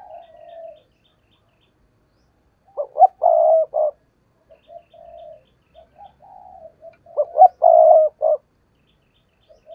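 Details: Lure spotted dove cooing to draw wild doves in: a soft low coo, then two loud rhythmic phrases of rough, throaty notes separated by quieter, drawn-out coos.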